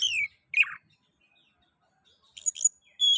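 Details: Oriental magpie-robin, song meant to stimulate other magpie-robins: a few short whistled notes and a harsh rasp, long silence, then scratchy chirps and a sustained high whistle.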